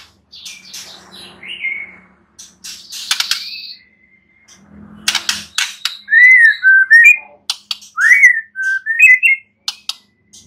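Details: White-rumped shama phrases after sharp clicks and a low background hum: a series of clear whistled notes that rise, dip and warble, delivered in quick bursts with brief gaps.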